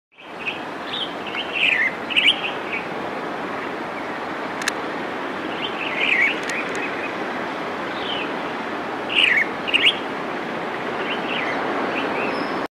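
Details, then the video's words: A bulbul, identified as red-vented but described as red-whiskered, gives short, bubbly whistled musical phrases in three bursts several seconds apart over steady background hiss; recorded 20 June 2018 in Visakhapatnam, Andhra Pradesh, India. "Musical call of Red vented bulbul"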